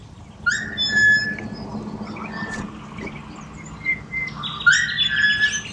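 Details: Softer and more distant, pied butcherbirds in Australia give scattered whistled notes over a hissy background, with a brighter whistled phrase at the start and another near the end.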